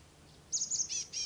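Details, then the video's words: Chestnut-backed Chickadees, a flock calling in the forest canopy in spring, soft and delicate: a brief run of thin, very high notes, the last ones slightly buzzy, over quiet background hiss. "Also in the canopy, we can hear the soft, delicate calls of a flock of chestnut-backed chickadees."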